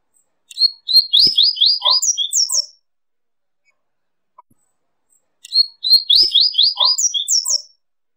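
Double-collared Seedeater song: a quick, high phrase of sweet rising-falling slurred notes with a trilled ending, given twice about five seconds apart, with quiet between.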